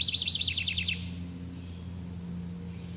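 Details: Forest bird song: a fast, high trill of about a dozen evenly spaced downslurred notes lasting one second, then quiet with a soft low hum and faint distant chirps.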